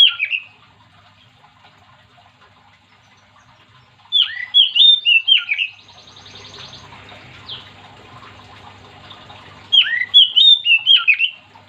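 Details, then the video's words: Oriental magpie-robin in full song, played to make other magpie-robins sing along: two bursts of loud, sweet whistled notes, sharply rising and falling and slurred, separated by several seconds of quiet, faint hiss and a low hum. "Kacer gacor yang bikin Kacer lain ikut 3m051"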